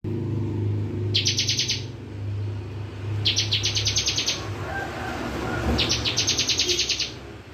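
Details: Bar-winged prinia singing in the continuous full bren style: three rapid, buzzy trill bursts of about a second and a half each, spaced roughly two seconds apart, over a steady low engine-like hum.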